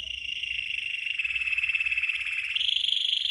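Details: Red canary training song carried as one continuous fast rolling trill, pulsing many times a second at a high, steady pitch that jumps slightly higher near the end.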